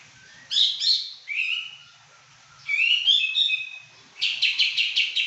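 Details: Pekin robin in full song, a valued singer: bright warbling phrases, a rising slurred whistle, a long fluty run, then five quick repeated ringing notes.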